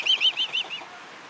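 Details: Mute swan recorded 19 July 2015 at 20:13 in the evening: a quick run of five high thin peeping notes, each briefly rising and falling, over about a second, then fading into quiet background.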